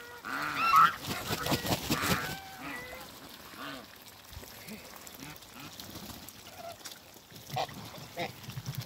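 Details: Toulouse geese, a mature couple meeting after being moved, give a loud burst of harsh honks at first, then softer, spaced honks and quiet gabbling.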